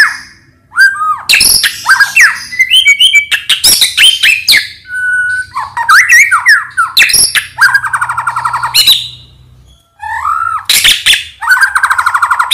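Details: A white-rumped shama's morning song, used to stir other birds into singing, full of harsh rattles, buzzy bursts and liquid whistled slurs, with a clear steady whistle and a pause near ten seconds.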